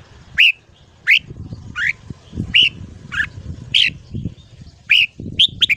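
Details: Red-whiskered bulbul in a morning voice-training recording meant to stimulate young birds: repeated short, bright slurred whistles roughly every half second to second, ending in a quick cluster of notes, with low background noise.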